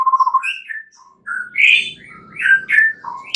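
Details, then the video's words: Night-time lure song of a white-rumped shama, meant to stimulate singing: short mellow whistles and slurred rising and falling notes, split by brief pauses, with faint low background noise. "Pancingan murai batu MALAM HARI agar GACOR dan NGEPLONG"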